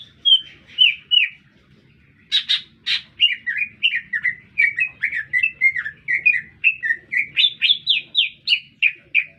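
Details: Lesser green leafbird in vigorous song amid a town: a few opening chirps, sharp crackling bursts, then a long rapid string of downslurred whistled notes.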